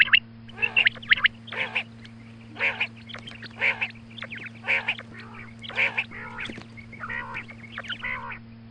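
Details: A female quail calls at dawn with a series of buzzy, harmonic notes roughly every second, punctuated by brief high whistles, with a low mechanical hum throughout.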